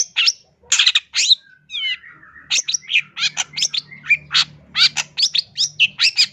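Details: Long-tailed shrike in full, constant song for a bird-training or luring master recording: scratchy chirps and a drawn-out descending whistled slur, then a quick string of sharp, varied high notes, with a faint low hum beneath.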